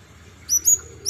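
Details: Olive-backed sunbird in an active singing spell, giving three short, very high, thin chirps in quick succession near the end, the first two close together, over a quiet background hum.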